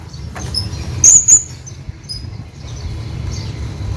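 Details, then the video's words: A hanging parrot calling its companion gives two very high, thin, squeaky notes in quick succession over a steady low rumble of background noise. "hanging parrot calling his friend"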